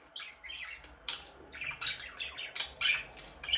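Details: Budgerigar chattering continuously in a small room, harsh squawky chirps and rapid warbled notes over a low steady background hum.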